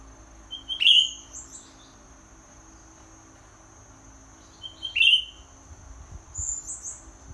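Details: Molting greater green leafbird giving two loud, clear whistled notes with quick downward flicks, about four seconds apart, each followed by softer high twitters, with a constant high-pitched whine in the background.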